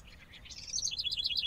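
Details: House wren song: a bubbly run of rapid notes that starts lower and faint, then rises into loud, fast, rolling trills bouncing up and down at a high pitch.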